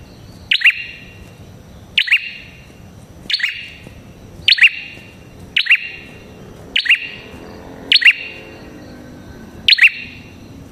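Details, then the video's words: Prinia, called the red-headed type, uttering a bright, piercing chip that drops in pitch, repeated steadily about every 1.2 seconds, nine notes, with quiet low rumble behind. The sound serves to attract wild prinias. "Suara Burung Prenjak Kepala Merah Gacor Ampuh untuk Pikat Prenjak & Pancingan Prenjak"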